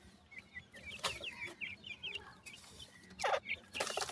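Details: Francolin chicks, a partridge-like bird, calling in a rapid series of short high chirps at about six per second, followed by a few louder, harsher bursts near the end over a low background hum.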